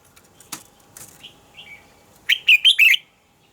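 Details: Red-whiskered bulbul morning song in the double-note mature wild style, meant for training birds to sing: a few soft clicks and quiet slurred notes, then a loud, rapid run of four rolling, bubbly notes.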